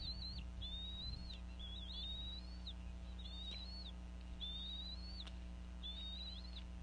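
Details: Bald eagle female calling over a fish while both adults feed eaglets at a Northeast Florida nest, late afternoon; five evenly spaced, high whistled notes, each rising slightly and then dropping sharply, with faint clicks and a low background hum.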